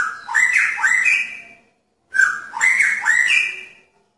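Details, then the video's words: In a pairing cage, a male magpie-robin whistles to draw a female's attention, giving two loud phrases of rising, stepped whistled notes about two seconds apart. "Murai Jantan Menarik Perhatian Murai Betina dalam Kandang Jodohan"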